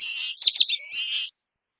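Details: The tail of a harsh buzzing note leads into quick, high, twittering notes and a second long rasping buzz, sung by a common waxbill, then silence.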